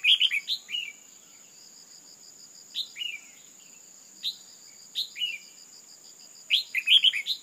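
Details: A female red-whiskered bulbul, used to stir a male into song, gives short bursts of bright, slurred chirping notes every second or two, over a steady, high insect-like whine.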